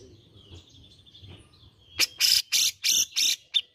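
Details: Grey-cheeked bulbul (cucak jenggot) lure for prompting green leafbirds to sing: quiet start with low background murmur, then five loud harsh buzzy bursts in quick succession.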